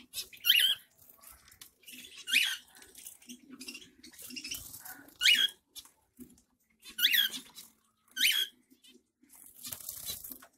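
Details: Summer bath of a zebra finch in Pondicherry: six brief, nasal, harmonic beeps, roughly one every one and a half to two seconds. Low rustling and splashing noises run through the background.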